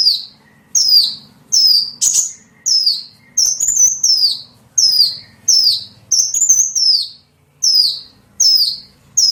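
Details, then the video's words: Lure sound used to attract small birds: about a dozen short, high chirps that fall in pitch, repeated roughly every three-quarters of a second at a slightly uneven pace. "SUARA PIKAT BURUNG KECIL"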